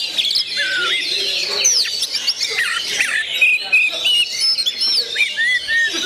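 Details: Oriental magpie-robin singing a dense, rapid stream of varied high whistles, chirps and sliding notes with barely a pause. Faint voices are in the background.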